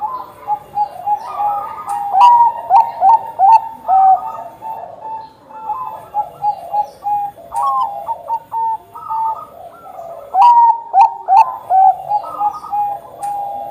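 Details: Actively singing Bangkok zebra dove: long bursts of soft, trilled cooing notes in quick succession over fourteen seconds, several voices overlapping, with scattered high chirps.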